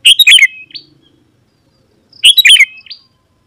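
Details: Sooty-headed bulbul in full song, intended to attract rival wild bulbuls. Two loud, bubbly, chattering phrases each end in a short rising whistle, separated by nearly two seconds of quiet.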